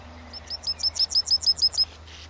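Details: Bank swallow calling: a quick run of about ten short, sharp, high chirps, evenly spaced and steady in pitch, given over roughly one and a half seconds against a low background hum.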